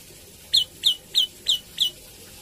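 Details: Five evenly spaced, loud, high downslurred chips from a Javan tailorbird, about three a second, over a quiet background.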